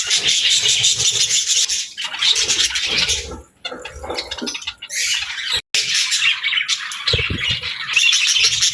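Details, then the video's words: Continuous budgerigar squawking and warbling, thick high chirps with short pauses and one abrupt silent break, plus scattered low knocking sounds. "Parrot Sounds | Budgie Videos"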